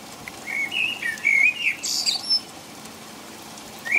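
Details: Common blackbird singing in the rain at about five o'clock in the middle of the night in England; a mellow, fluted warbling phrase of low whistles ends in a short high squeak, then a pause before the next phrase begins, over steady rain patter.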